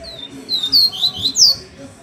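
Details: Double-collared seedeater singing while hanging upside down: a brief run of high, clear slurred whistles and chirps, several notes sweeping downward, over faint low background noise.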